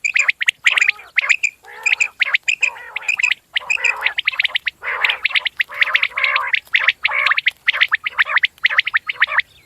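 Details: Batair, the common quail, giving clear, bright, ringing notes repeated in short runs. These are mixed with and then overtaken by rapid, rasping, bubbling call bursts from what sound like several birds, separated by short pauses.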